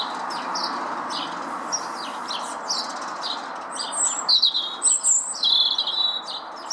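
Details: Lesser redpoll feeding on a Nyjer feeder in a garden at Howdon on 3 May 2016; after a steady background hum, a run of thin, high chirps and short buzzy twitters grows louder and more frequent toward the end.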